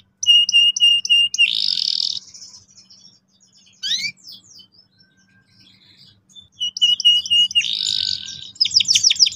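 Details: Canary song in bursts separated by quiet pauses: quick repeated high chirps leading into buzzy rolling trills, then sharp sweeping notes and a further run of repeated chirps with rising swept notes at the close.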